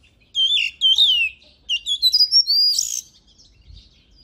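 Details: Oriental magpie-robin song used to train and stimulate birds for singing competitions: loud, clear, sweeping whistled phrases that slur downward, then a quick burst of varied notes ending in a rising whistle, with silent gaps between.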